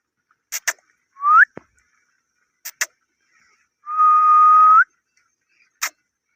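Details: An Indian ringneck parrot gives two clear whistles, a short upward-sliding one and then a long level note that lifts at the end, between sharp clicking taps.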